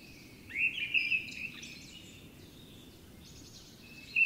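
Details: A Eurasian blue tit calls: a high, thin burst of buzzy notes around the first second, then a short high note near the end, over soft background hiss.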